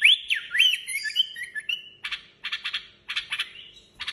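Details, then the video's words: Iraqi bulbul song used to teach young birds: a quick run of liquid, rising and falling whistles, then short scratchy chattering bursts about three a second. "تغريد بلبل عراقي لتعليم الافراخ"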